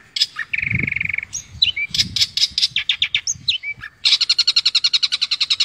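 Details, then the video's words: Long-tailed shrike song used as training material, with imitations of other songbirds: a steady buzzy trill, scattered chirps and twangs, then a fast even rattle of sharp notes. "Materi Cendet / Long Tailed Shike"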